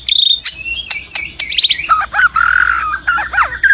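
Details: Close, loud white-rumped shama during trapping in the wild: a high sustained whistle, then tumbling varied notes, buzzy sweeps and quick chattery phrases, with sharp knocking clicks between.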